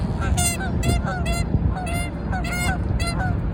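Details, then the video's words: Canada geese quarrelling over territory: harsh, nasal honks in quick pairs and triplets, about six bursts in under four seconds, with a low background rumble. "Canada geese are territorial カナダガン縄張り争い"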